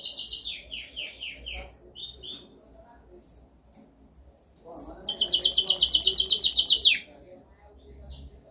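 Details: Canary training song opening with repeated descending slurred notes, a quiet pause, then a loud rapid rolling trill for about two seconds and a soft closing chirp.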